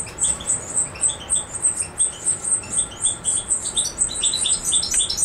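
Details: European goldfinch recorded in Macedonia on 7 July 2011; thin, high tinkling notes repeated quickly, roughly four per second, in a steady twittering run with a lower second note layer and a constant background hiss.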